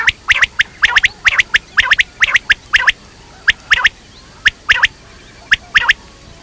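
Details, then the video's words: Quail, known locally as batair, giving rapid sharp, clicking call notes in quick pairs and triplets, bursts repeating about once a second with brief pauses, against a low steady hiss. "Quail sounds batair ki awaz quail sounds"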